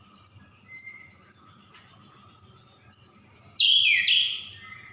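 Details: Song of a Siberian blue robin: six sharp, high, thin whistled notes at even half-second spacing, then an abrupt, loud, tumbling trill that drops in pitch; quiet background with a faint steady hum.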